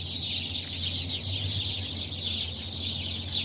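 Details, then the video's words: Crowded tree full of birds calling just before light, producing an even, busy wash of high chirps and squeaks over a persistent low hum. "napakadami mong nadidinig na huni ng mga ibon"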